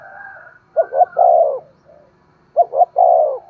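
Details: Two low coo phrases from a spotted dove, each a pair of short rising notes and a prolonged falling coo, used to urge a decoy dove to coo and call; faint softer cooing before and between.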